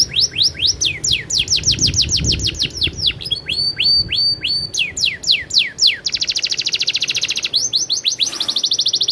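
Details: Rolling canary song made of quick descending whistled sweeps in steady succession, a stretch of paired notes, then a very fast fine trill near the end; a little low background noise.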